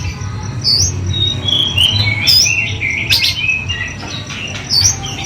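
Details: Oriental magpie-robin singing loud, varied whistled phrases and rapid twitters, some notes sliding upward, against a continuous low droning background.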